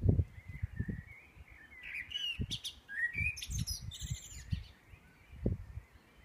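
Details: Pre-dawn birdsong in Edinburgh, 4am on 9 May 2014: fluty warbles and bright high trills overlap, with repeated low thumps and background rumble throughout.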